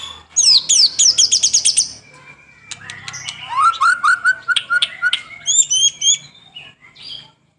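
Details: Vigorous white-rumped shama song used to stimulate other birds, morning and evening: a fast string of high downslurred whistles, then a lower chattering series of even notes and a few doubled high whistles.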